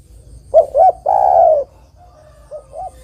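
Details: Spotted dove (derkuku) singing to lure other doves for trapping: two quick rising coos then one long, slightly falling coo, followed by a softer, distant echoing phrase; steady low background hum.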